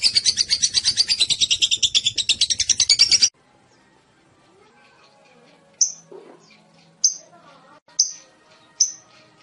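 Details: Lovebird ngekek chatter, meant to draw replies from other lovebirds: about three seconds of fast shrill rattling, then quiet with four sharp, separate high chirps spaced roughly a second apart.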